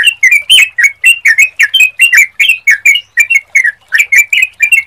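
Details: Sooty-headed bulbul singing a lure song of fast, bubbly slurred notes, roughly four each second, with an even chattering rhythm.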